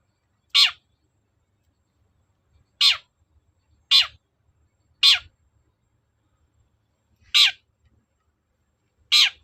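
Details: Long-tailed shrike, a lure recording meant to draw replies: six loud, grating, downward-sweeping rasps at uneven gaps of one to two seconds, with silence in between.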